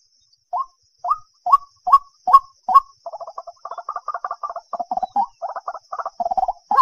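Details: Common moorhen call, used for bird trapping: six abrupt, rising croaks about two per second, then a rapid run of low chattering, clucking notes, with a faint background hiss.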